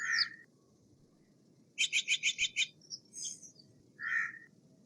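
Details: Steller's jay with a rough note, then a fast dry rattle of about six pulses, a few thin notes, and a final hoarse squawk, over faint low background hiss.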